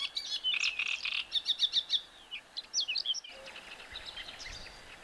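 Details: Great reed warbler in reedbed habitat, a loud strophe of repeated notes, first grating then sharper squeaky syllables in quick runs, then a pause with faint background chirps.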